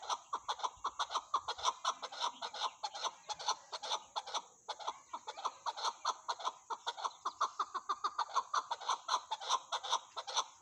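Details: Loud, driving chukar partridge calling: a fast, steady stream of cackling chuck notes, about three to four per second, almost laugh-like, sustained throughout over a thin high tone.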